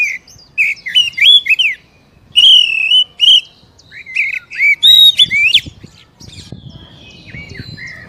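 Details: Oriental magpie-robin, a stimulating song for a caged bird: several loud phrases of rich looping whistles and twittering notes separated by short pauses, ending with softer rustling.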